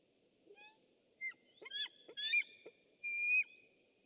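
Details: Webcam recording of a white-tailed eagle in Estonia, 6 August 2015: a varied run of high whistled notes, short clicks and slurred yelps, ending in one long level whistle, with faint background hiss.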